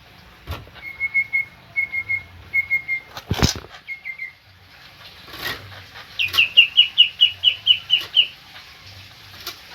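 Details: Greater green leafbird singing actively with full song phrases: clear whistled notes repeated in short bursts, a brief falling phrase, then a rapid run of about a dozen sharp, downward-slurred whistles, with occasional wing flutters.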